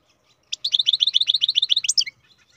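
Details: Song of a captive-bred European goldfinch, one rapid unbroken string of sharp, tinkling high notes lasting about a second and a half, with a faint low hum underneath.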